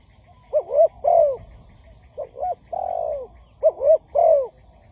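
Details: Spotted dove calling on a trapping lure recording made to stir up other doves. Three short groups of mellow coos, each a quick double note followed by a drawn-out falling coo, spaced about a second apart.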